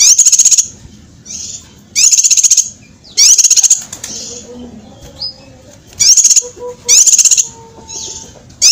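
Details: Cucak kinoi master song for training competition birds, called sharp: bursts of rapid, high, shrill repeated notes separated by short pauses, with fainter chirps and a low rumble between bursts.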